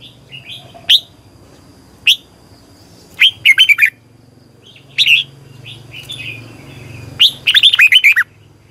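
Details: Morning competition song of a red-whiskered bulbul in the long, double, twisting style used as a lure to train and stimulate other bulbuls: scattered sharp chirps, then two bursts of rapid, bright warbled notes over a steady low hum.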